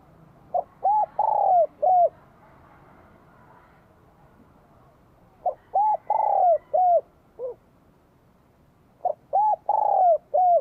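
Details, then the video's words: Spotted dove of Vietnam with a bell-toned voice celebrating spring 2023 sings three evenly spaced cooing phrases about four seconds apart, each built from short hooked coos around one long descending coo. "CHIM CU GÁY GIỌNG CHUÔNG KÍCH BỔI CỰC SUNG CHÀO XUÂN NĂM 2023"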